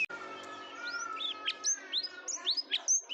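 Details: Canary singing, played to prompt a quiet canary to join in: scattered high arched whistled notes and sharp chips over a steady lower tonal hum, softer and less continuous.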